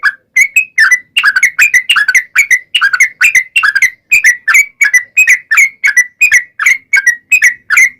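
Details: Sooty-headed bulbul song meant to draw wild bulbuls into answering: an unbroken string of short, slurred, bubbly whistled notes, some paired, repeating roughly three times a second throughout.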